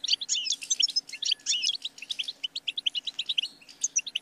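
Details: Lively goldfinch song opening with slurred, twangy warbles and then quickening into a rapid run of crisp, evenly spaced high chirps.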